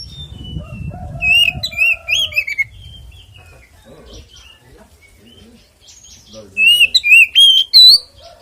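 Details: Oriental magpie-robin fighting song in the ngeplong tarung konslet style, used to provoke other magpie-robins into singing: two bursts of loud, slurred whistles with sharp upsweeps, separated by quieter scattered notes and a low hum.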